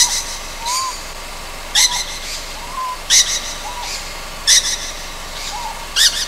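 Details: Juvenile Ryukyu scops owl at night on Amami Ōshima: harsh, raspy hissing bursts repeated roughly every one and a half seconds, with soft, short, rising-then-falling whistles between them.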